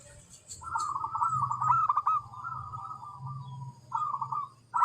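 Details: Zebra dove giving softer wavering, pulsed cooing phrases over a steady low droning hum, with a louder coo at the very end.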